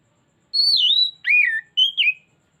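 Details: Oriental magpie-robin (kacer) song used as a lure to draw out another bird's learned repertoire: a loud, clear high whistle sliding down, then a lower rising-falling whistle and two short warbled notes, in a quiet background.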